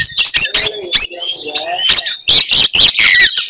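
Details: Oriental magpie-robin in fighting song, provoking rivals: loud harsh buzzes and whistled slurs, with a lower warbling phrase in the middle and short noisy bursts throughout.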